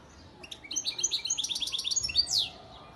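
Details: European goldfinch sire bird from Antalya, Turkey, recorded 2018, delivering a lively high-pitched warble of rapid chirps and trills that closes with a sharp downward slide.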